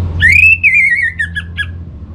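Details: Brief orange-headed thrush phrase used to spur a kept bird to sing; one long, slightly falling whistle ending in a couple of short clipped notes.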